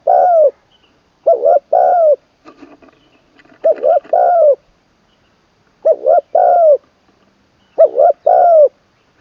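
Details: Spotted dove decoy bird in its third training session, crowing with a full middle voice and a kuk ending: five low cooing phrases, each a stuttered double note then a long falling coo, with a brief rustle between.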